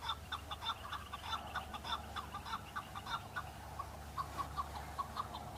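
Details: Several male chukar partridges calling and fighting on Bamo mountain during the breeding season, displaying for females; repeated chuckling notes roughly twice a second, evenly paced, over a faint low rumble.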